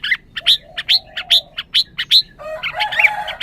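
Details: A caged red-whiskered bulbul, possibly in a highly excited state, fires off a steady string of sharp, high chips about once a second, then breaks into a brief husky, chattering warble.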